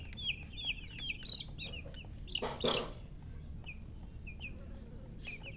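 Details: Domestic chicken chicks chirping: high, short, downward-slurred peeps in quick runs, with a few louder, sharper cheeps and a brief burst of broadband noise midway, over a low background hum.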